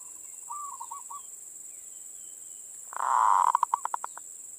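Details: Zebra dove, a local perkutut, giving manggung song meant to rouse other doves: a faint distant trill of coos, then a loud swelling low coo that breaks into evenly spaced clicking pulses.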